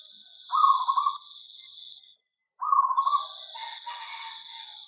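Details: Aviary zebra dove gives two drawn-out, trilled cooing phrases separated by a short silence, backed by a steady high whine and some softer overlapping notes.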